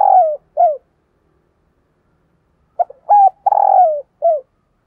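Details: Decoy spotted dove cooing to lure wild doves: two soft hooting coo notes, a pause, then a stuttered phrase of short notes, a rising coo, a long drawn-out coo sliding downward and a final short falling coo; quiet, clean background.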